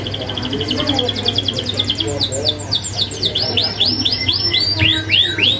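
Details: Lively singing canary used as a master recording to train young canaries, with sharp rolling fill: fast runs of high descending sweeps and buzzy trills, repeated several times a second, over a steady low hum.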